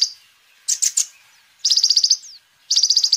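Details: Energetic sunbird song, used as a lure and as a tutor for other birds. A short high note is followed by rapid chattering bursts. Two fast, high, buzzy trills of evenly repeated notes are separated by short pauses.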